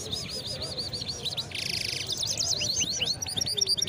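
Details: Hybrid songbird (maestro, a canary hybrid) at the Souk Kriaa bird market in Casablanca sings a high, rapid twittering of sliding chirps, about three notes a second, with a brief buzzy trill midway; faint market bustle underneath.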